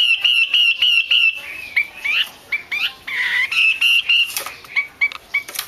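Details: Female Chinese hwamei call for stirring males to sing: a fast burst of short, even whistles, then scattered rising and falling whistled notes separated by gaps.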